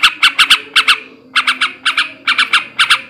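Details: A male yellow-vented bulbul cackles in ngebrem ngekek garuda style, said to arouse breeding: bursts of three to four harsh notes separated by brief pauses, with a low hum underneath.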